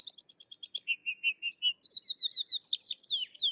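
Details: Sykes's lark, a crested, rufous lark of dry open country in India, said to imitate the calls of other birds of its habitat; a rapid series of clear chirped notes, paired high notes, then lower phrases and descending slurs.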